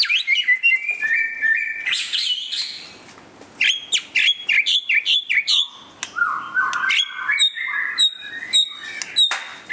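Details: White-rumped shama singing during display: rich, varied phrases of clear whistles and sharp chips, sliding notes and rapid trills, delivered in bursts with short pauses between phrases.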